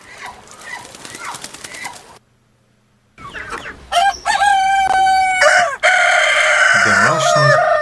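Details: A domestic village rooster crows twice, loud and drawn-out, with a strained, brassy rise and fall, after a noisy start and a short silent gap.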